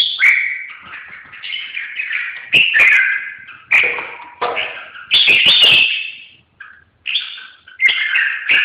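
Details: Red-whiskered bulbul song of lively, chattering whistled phrases, roughly twenty a minute at irregular spacing, mixing rising and falling notes, with sharp tapping clicks among them and one short pause near the end.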